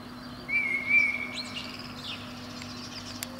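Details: Eurasian blackbird, a protected species, singing at the top of a pine beneath a window on a spring morning, its performance running from about five to seven a.m.; one clear, slightly wavering fluted whistle over a steady low hum, with faint higher notes after.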